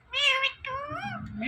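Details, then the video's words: Indian ringneck parrot kept as a pet, talking indoors: a few clear, high, nasal voiced syllables with wavering, rising and falling pitch, mimicking a cat's meow. "Compilation Of Two Best Talking Parrots"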